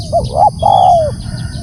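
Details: One loud spotted dove phrase: two short hooting notes rising in pitch, then a long, smooth coo drifting slightly downward.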